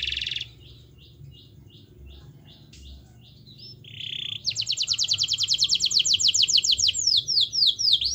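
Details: Gacor canary song meant to prompt a lazy canary to sing: a buzzy burst and soft spaced chips, then a loud, fast, steady trill of high notes ending in a few sweeping whistles.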